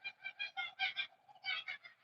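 Kookaburras cackle in a raucous, rapid chorus, harsh hooting bursts about five per second rising into a loud peak, then faltering and surging again.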